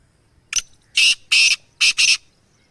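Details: Black francolin, a kept bird of the Sindh and Punjab teetar type, calling: a short click followed by three loud, harsh, grating notes, the second pair closely spaced, in quiet surroundings.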